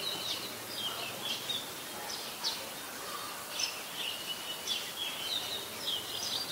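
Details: Adult red-whiskered bulbul recorded 16 December 2020 in Ubon Ratchathani, Thailand: short chirped and slurred notes repeated irregularly, roughly one per second, over prominent background hiss.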